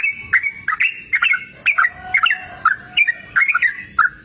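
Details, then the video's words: Outdoors in a cool natural setting, a sooty-headed bulbul sings chattering, liquid phrases of two to four quick notes, spaced by short gaps. "Suara Merdu Burung Trucukan Gacor!"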